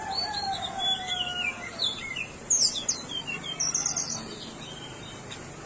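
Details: High, squeaky chirps and sweeping whistles from a Tickell's blue flycatcher, coming in quick jumbled bursts, while a long, lower drawn-out tone sounds faintly in the background at the start.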